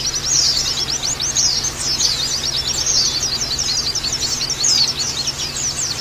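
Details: Oriental white-eye training recording for caged birds: loud, high, rapid twittering of closely packed chirps and squeaky slurs, never pausing, with a steady low hum beneath.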